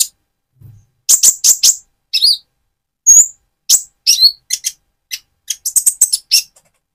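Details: Van Hasselt's sunbird, spotted and moulting toward metallic plumage, sings to excite another bird: loud sharp high chirps in quick pairs, a thin whistled note, then an accelerating string of high ticking twitters.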